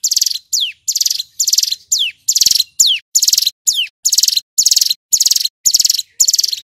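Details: A male Hill prinia gives a loud, rapid song of high buzzy trilled bursts, each about half a second, some ending in a sharp descending whistle, repeated almost without pause.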